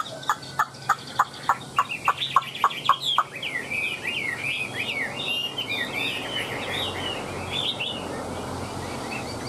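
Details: Caged Chinese hwamei displaying with spread tail and wings; about a dozen sharp clucking pulses at a steady beat open the clip, then a fast run of whistled, slurred song notes follows.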